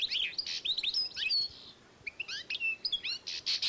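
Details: A 2012 European goldfinch and canary cross delivers fast, scratchy chirps and downslurred whistles, pauses briefly, then continues with buzzy, rasping notes mixed among high twitters.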